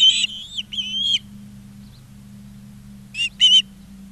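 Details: Ospreys at a nest in Charlo, Montana, on 20 August 2023 at 16:04 give high, whistled, slightly wavering calls in two bursts, one long opening call and a short paired burst near the end, over a low steady hum.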